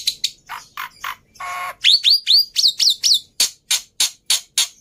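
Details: Black-winged myna singing energetically, a recording meant to coax quiet mynas into song: varied chirps, a nasal buzzy note, then a run of rising whistled slurs followed by loud, sharp notes repeated about every third of a second.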